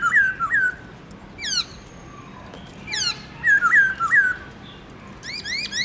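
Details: Black-throated laughingthrush in morning forest-voice song with varied notes. Paired looping whistles and steep descending sweeps are separated by pauses, ending in quick rising upslurs.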